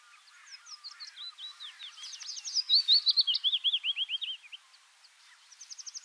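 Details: Willow warbler, a common migrant in Palestine in early autumn and late spring, singing a soft descending phrase of sweet slurred notes that grows louder then fades, followed by a quieter rapid trill.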